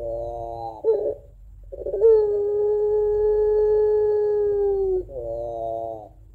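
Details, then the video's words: Long crying song of a puter pelung dove used to draw in other doves: a gurgled opening note, a quiet gap, then one smooth unbroken low tone held for three seconds before sliding into a rich vibrating coo. "Puter Pelung Gacor Suara Menangis Panjang Kuwok 2 Not Sangat Cocok Buat Pancingan Puter Dirumah"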